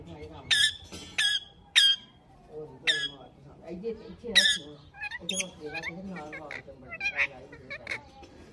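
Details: Pet rose-ringed parakeet talking: sharp harsh squawks repeated about every second at first, then a run of softer warbling, speech-like chatter with quick rising and falling notes.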